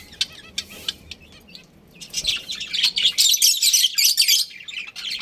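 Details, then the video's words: Breeding pair of budgerigars chirping: rapid, high, scratchy chatter of overlapping twitters, growing denser and louder in the second half. "Adorable Budgies Chirping Sounds"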